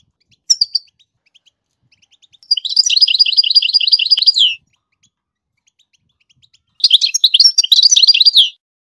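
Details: Goldfinch singing to teach its chicks, giving two loud, fast buzzy trilled phrases of evenly repeated high notes, each lasting about two seconds, separated by a pause with faint soft ticking chirps behind.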